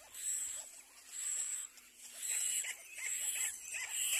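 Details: Little black cormorant, both parents arriving at the nest with their chick, gives short, nasal, arched notes in irregular runs of about one per second, over a steady, high, hissing insect chorus.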